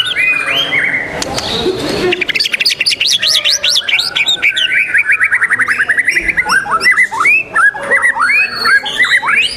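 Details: White-rumped shama singing in a contest, December 12, 2021: a brief burst of noise, then a long fast train of sharp repeated chipping notes, followed by looping whistles, with other competing birds audible faintly.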